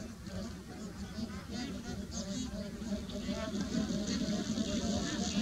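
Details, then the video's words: Bar-headed geese at Pong Lake: a flock giving short, nasal, arched honking notes that overlap in a busy chorus, growing slightly louder toward the end, over a constant low droning hum. "Bar Headed Goose"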